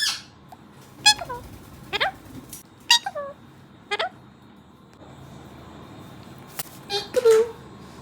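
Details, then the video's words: Talking pet parrots saying peekaboo; several spaced single harmonic calls roughly once a second, each sliding downward, then a quiet pause and a final pair of squeaky syllables. "Watch all my 4 parrots saying “Peekaboo”"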